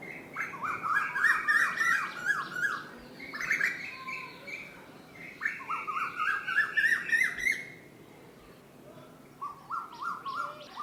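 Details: Asian koel (koyal) calling: bursts of rapid, bubbly, harmonic notes repeated in quick runs, separated by pauses, with a long steady high tone running beneath; faint background music.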